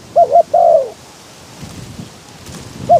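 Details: Spotted dove used as a decoy bird, calling from a trap cage with its cover opened in strong wind to lure wild doves; two short coos and a longer drawn-out coo, with a new phrase beginning at the end.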